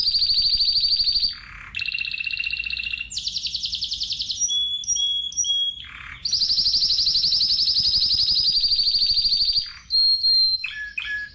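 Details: Spanish timbrado canary alternating long metallic rolled trills at different pitches with short pure whistled tones, brief lower buzzy bursts and a few clipped notes near the end, loud and clear throughout.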